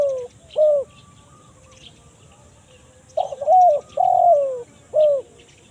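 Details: Cooing of a spotted dove, 'kuk 1 mersik' style, played as a lure for wild birds in forest: two coos, a quiet stretch with light chirps, then four quick coos, the middle ones longer and falling.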